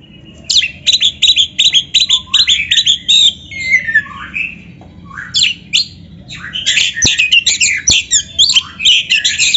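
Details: Song of a kacer (magpie-robin) used as a master recording for a caged bird: rapid repeated sharp notes, about three per second, then a flowing whistled passage, then another fast burst of chattering notes.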